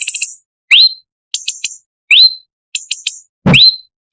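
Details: Orange-bellied leafbird song in a rough, sharp style, used as a tutor song for magpie-robins: short clusters of high clipped notes alternating with rising whistled slurs, roughly every 0.7 seconds, with one low thump.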